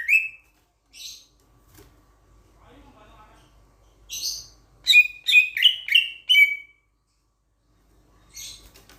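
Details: Sulawesi myna, a loud starling from Sulawesi. Scattered chirps and soft, low mutterings come first. Around the middle, a rapid series of six loud, raspy, clipped notes follows, then quiet and a final faint chirp.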